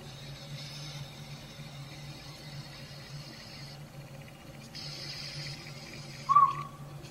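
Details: Northern Pygmy-Owl, a tiny owl about robin size calling in backyard woods near an old sapsucker nest in a hollow tree: a single short whistled toot late in the clip, with a faint tail, over a steady low hum.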